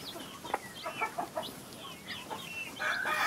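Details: Hen accompanied by baby chicks on a farm, giving soft short clucks mixed with many brief high chirps, several per second, rising in density toward the end.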